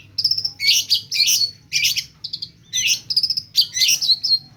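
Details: Long-tailed shrike singing mimicked phrases: clear whistled notes alternating with loud buzzy, grating bursts, phrases separated by brief pauses.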